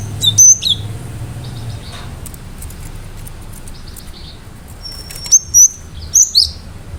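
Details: Singing cinereous tit giving sharp shot-like phrases to provoke other birds: a bright whistled burst at the start, a pause with faint chirps, then a long thin whistle leading into several rapid high ringing notes.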